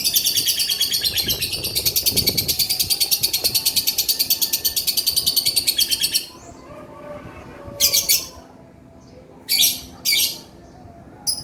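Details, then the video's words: Male lovebird in full chattering song, the ngekek style: a fast, unbroken run of harsh, high chirps lasting six seconds, then a few short shrill bursts after a pause. "SUARA BURUNG LOVEBIRD GACOR JANTAN"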